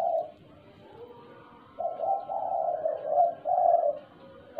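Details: Soft, somewhat distant-sounding coos of a tame spotted dove (tekukur) singing in the stuttering 'gagap' style: one short note, a pause, then a stammering linked series over low background rumble.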